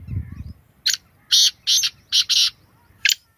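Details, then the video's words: Black francolin, known locally as kala teetar, giving a harsh, grating call of six loud scratchy bursts over about two seconds, the fourth and fifth closely paired, after a brief low rumble at the start. "Beautiful voice of black francolin Kalay Teetar Ki Awaz Kalay Teetar Ki Boli Sindhi teetar ki awaz"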